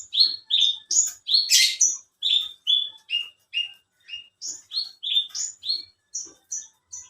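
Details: Branjangan of the alinea type, a competition bush lark prized for duration and song material, delivering a quick run of about twenty short notes that jump between pitches, one harsh burst near the start.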